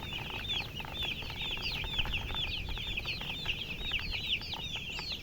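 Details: A group of baby chicks chirping nonstop: thin, high, quickly rising and falling peeps overlap in a busy, steady chatter with only faint background hiss.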